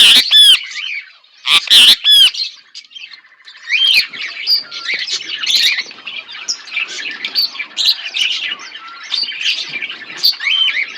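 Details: Two pet budgies calling: three loud, harsh squawks open, then a long run of softer, rapid warbling chatter with quick rising whistled notes and clicks, steady and high.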